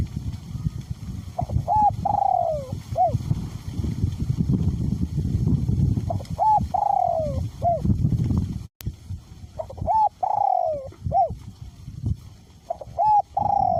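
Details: In strong wind, a spotted dove decoy bird with a small-to-middle voice repeats its coo phrase four times, each with clipped lead-in notes, a falling drawn-out coo and a closing short note, with loud gusts and a brief click.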